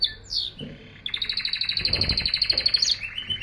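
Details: Canary singing: a downward slurred note, then a rapid rattling trill of even high pulses, about three per second-fraction, ending in a short whistled rise, with a low steady hum behind.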